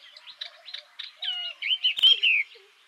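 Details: Yellow-eyed babbler song, a species of bamboo thickets and dense secondary scrub in Vietnam: soft scattered chirps give way to loud, ringing, slurred whistles that rise and fall, with a sharp click midway and faint low notes underneath.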